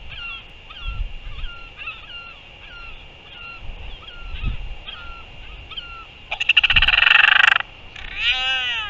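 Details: Royal albatross mother on a New Zealand nest cam giving sky calls while feeding her chick, 4:29 PM, 24 February 2023: soft repeated squeaky notes, then a loud braying, whistled burst near the end, with wind rumble throughout.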